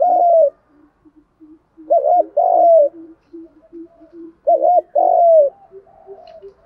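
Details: Spotted doves, male and female, cooing to prompt other doves to answer: three phrases of a warbled note plus a long downslurred coo, separated by soft low coos.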